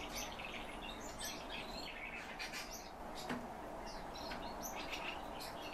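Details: Calandra lark singing a busy, continuous stream of short high chirps, trills and thin sweeping notes over a steady low hiss, with a single sharp click near the middle.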